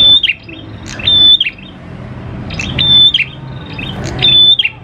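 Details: Prinia (prenjak klawu) singing energetically as a lure: paired high steady whistles with downward twists, the pairs about 1.7 seconds apart, and short chips between them.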